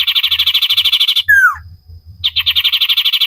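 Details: Common iora in full, lively song, recorded for training cage birds: a fast rattling trill of about three notes per second, broken by one clear downslurred whistle, then the rattle resumes.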